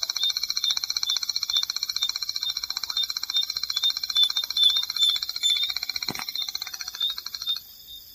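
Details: Striped Crake, a shy crake of marsh and seasonally flooded grassland, giving a long, dry, high-pitched trill of rapid even pulses that runs about seven and a half seconds, with a sharp click partway through before it stops.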